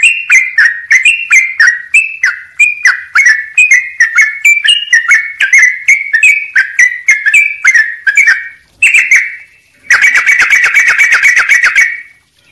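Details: Sooty-headed bulbul song packed with filler notes and short gaps: a steady string of brief falling whistles, one after another, closing in a dense, buzzy chatter.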